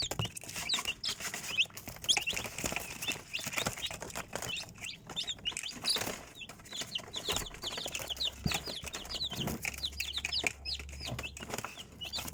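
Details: Chicks in a group give rapid high peeps, dense runs of short downward chirps, over constant rustling, pecking clicks and a low hum in the second half.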